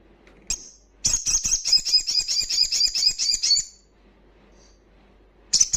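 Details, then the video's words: Loud song of a wild crimson sunbird, meant to stimulate breeding condition and aggression in untrained sunbirds: a brief high note, then a dense, rapid, shrill twittering trill lasting over two seconds, and another high burst at the end. "Sogon Ngalas Kencang"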